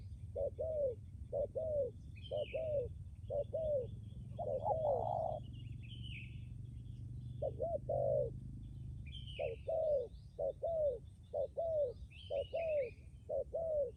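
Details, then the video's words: ['Spotted dove decoy in Lâm Đồng, Vietnam, with a strong, durable coo. Runs of low double coos repeat roughly once a second, with a drawn-out coo near the middle. Thin, higher chirps of small birds recur throughout.'] "cu gáy mồi cứng gù hậu bền"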